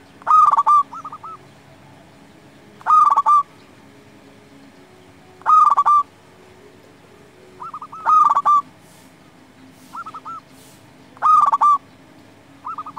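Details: Local zebra dove singing repeatedly to stir other doves into song: loud stuttering coo phrases ending in a held note come about every two to three seconds, each trailed by quieter, lower coos.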